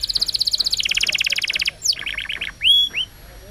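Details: Canary song from a long lure recording meant to set quiet or stalled canaries singing: a fast, even trill of high notes, then a steadier rolled trill, a sharp upward sweep and several chirps, ending in two loud whistled slurs.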